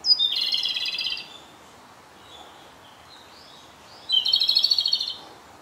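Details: A male Japanese robin, on the last of six days at a site, sings close by in a dark spot: two loud phrases, each a high note running into a fast, rattling, horse-like trill, with faint distant bird notes between.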